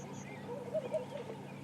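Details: On a morning safari drive in Sabi Sands on 5 November 2015, a laughing dove calling very close gives two soft, low cooing notes over a faint murmur of voices and a vehicle's hum.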